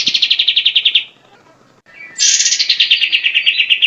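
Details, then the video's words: Melodious grey-cheeked bulbul song used as a model for songbirds: a quick series of repeated chirps, a second of near silence, then a louder trill that starts high and settles lower. "Masteran Burung Cucak Jenggot – Suara Merdu untuk Burung Kicau Juara"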